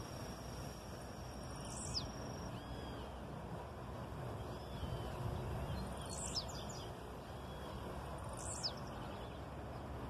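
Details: A wild blue-black grassquit (Volatinia jacarina) sings a brief, high, buzzy note three times, about every two to three seconds, over a steady low rumble of traffic or wind.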